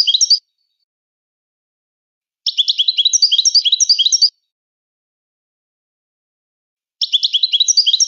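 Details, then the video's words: Moroccan goldfinch singing: rapid, tinkling twittered phrases of high chirps and liquid notes in three bursts, the longest nearly two seconds, separated by silent pauses; no other sounds. "أفضل تغريد الحسون المراكشي"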